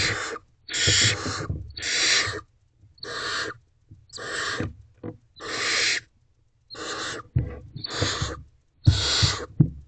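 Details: Barn owl owlets in a nest box at 1:47 am, April 28 2023, scrambling to press against their mother. Rapid series of about nine noisy, breathy screeches, roughly one a second, with light bumps below.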